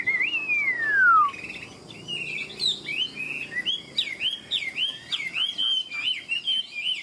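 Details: Caged, tame Chinese hwamei said to fight well, singing in ngũ trường style: a long, clear whistle sliding steadily downward, then a brisk string of repeated looping whistled notes with short breaks.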